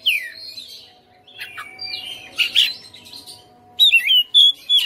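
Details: Caged white-rumped shama singing at home: soft scratchy warbling and buzzy notes at first, ending in loud, sharp whistled slurs repeated in quick succession.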